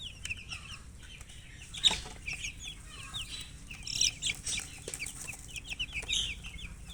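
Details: Colour chickens give high, short, repeated peeps in an irregular overlapping chorus, with a few sharper louder notes and occasional soft knocks over low hum.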